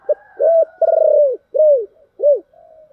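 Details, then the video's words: A spotted dove gives a 'thổ đặc' style call meant to get decoy birds calling quickly. The phrase opens with a short clipped note, then a steady coo and a rapidly pulsed, stammering coo, and ends with two rounded, down-curving notes. "cu gáy giọng thổ đặc/ tieng cu gay kich boi nhanh noi"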